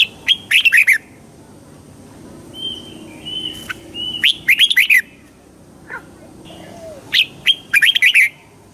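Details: Red-whiskered bulbul song played to excite a bird: three loud bursts of quick, bubbling whistled notes separated by quieter gaps holding a soft drawn-out whistle and faint chirps.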